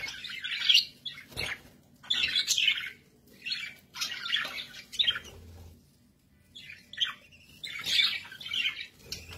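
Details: Budgerigars kept as pets warble continuously in rough, buzzy phrases that rise and fall in loudness, over a low background hum.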